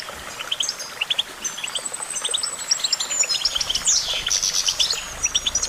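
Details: Goldfinch singing a lively twitter: short sharp chirps in small clusters, a long thin high whistle sliding across, then a dense burst of rasping, tinkling notes near the end.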